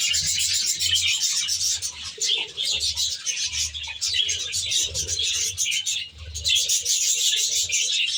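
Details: Aviary flock of budgerigars kept in a nature-style enclosure: constant shrill twittering and scratchy warbling from many birds, briefly dipping near the sixth second, over a soft low intermittent drone.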